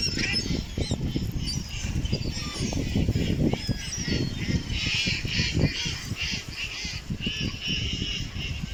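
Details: Ducks produce scattered nasal calls that build into a denser, rapid burst of repeated honks midway, set against continuous low-pitched rumbling and knocking sounds.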